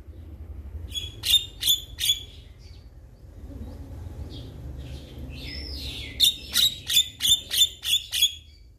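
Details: Male Javan myna calling to other mynas: loud, harsh broadband notes repeated in two bursts, three rapid notes then a longer run of about seven, with a quieter squeaky phrase between.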